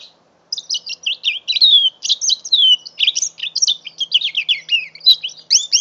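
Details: Five-month-old mule canary hybrid pouring out a rich, continuous warbling song: crowded high chirps, buzzy trills and curling whistles for over five seconds, a couple of clicks near the end.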